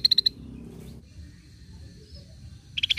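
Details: Cream-vented bulbul lure call: a short run of four crisp, high staccato notes, then near silence with faint hum, then another quick pulsed burst at the end.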